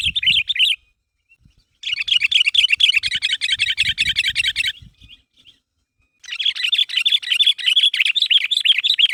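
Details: Sooty-headed bulbul calling steadily to prompt other birds to respond: long bursts of rapid, bubbly chattering notes, the first lasting several seconds, separated by short silences, with a faint low rumble between bursts.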